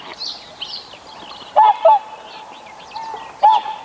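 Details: Greylag goose giving three short, clipped honks, two close together and one after a gap of over a second, over a steady background hum and faint distant calls.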